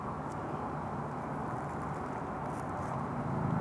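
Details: Outdoor traffic rumble with passing-car hum and a few faint high ticks; no animal calls are heard.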